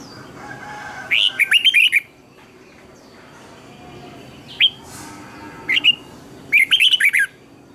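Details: Red-whiskered bulbul singing in the morning, a recording for training other bulbuls to sing. Short bursts of liquid, warbled phrases rise and fall in quick clusters. They come near 1 second, around 4.5 to 6 seconds, and again near 7 seconds, with quiet gaps between.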